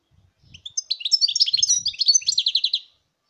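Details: European goldfinch in full song, 2019, delivering a fast, continuous stream of high, tinkling twitters and clipped notes for about two seconds, with faint low knocking sounds underneath.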